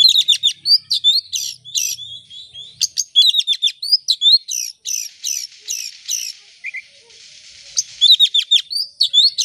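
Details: Oriental magpie-robin singing continuously as a lure to make birds sing: dense runs of sharp chips and high whistled notes, a brief softer buzzy stretch, then more rapid chipping; faint low hum.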